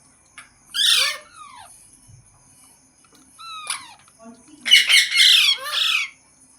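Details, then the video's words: Green parrot vocalizing: a harsh descending squawk, then quieter thin whistled notes, and a burst of several loud raspy calls near the end, with a low background hum throughout. "Green Parrot Talking Natural Sounds | Tote Ki Awaaz | Mitthu Ki Awaaz"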